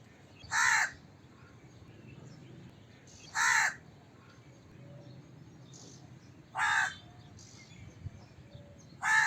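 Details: Harsh, nasal crow caws repeat at about three-second intervals, four in all, with faint distant calls in the gaps.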